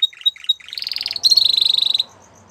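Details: Male Belgian canary: a few sharp piping chips and soft lower notes, then a rising tone leading into a fast, even, buzzy trill lasting under a second before fading out.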